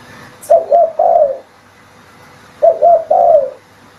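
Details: Spotted dove call serving as a lure for hunters: a quick doubled coo then a longer downward-sliding coo, heard twice with a pause of over a second between phrases.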